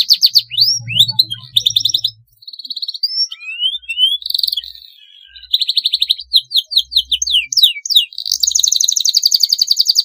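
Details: Canary singing a long rolling master song for training: alternating high rolls, rising and falling whistled slurs, a sustained buzzy note, and a closing fast, even trill, with a low hum early on.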